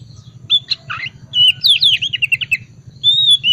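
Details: Oriental magpie-robin, ngriwik wiksar style lure for cold-type birds: scratchy chirps, then a quick trill of repeated notes and a final long clear whistle, with a steady low hum beneath.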